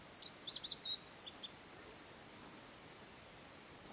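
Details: A Narcissus flycatcher sings a quick phrase of bright, high, chirping notes over a soft background hiss, recorded in the mountain forest at Matsunoyama Onsen, Japan.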